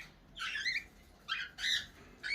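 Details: Indoors at morning feeding time, a cockatiel gives four harsh, raspy, squawking bursts over about two seconds, each short and rough-edged, in a quiet room.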